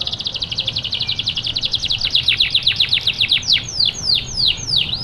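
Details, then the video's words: Steady-singing canary used to trigger song in lazy canaries: a quick high trill of repeated notes that slows midway into five loud, clear, downward-swooping whistles spaced about half a second apart. "gunakan kenari gacor ini untuk memancing kenari malas bunyi"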